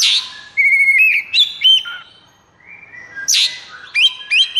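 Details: Agitated, high-breeding-condition Oriental magpie-robin, kept bird, singing for training other birds: loud rich phrases of flat and wavering whistles mixed with rasping bursts, a brief lull midway, then a renewed burst of ringing notes.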